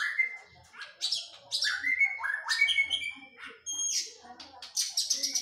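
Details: Oriental magpie-robin in physical training after moulting, singing a varied, fast song of sliding whistles, sharp high chips and buzzy bursts, with brief pauses between phrases.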